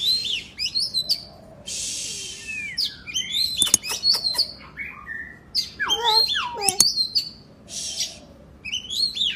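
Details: Oriental magpie-robin, a kacer, singing vigorously as a therapy track meant to prompt quiet birds to sing along; varied whistled phrases sweeping up and down, mixed with harsh buzzy bursts and sharp clicks, separated by short pauses.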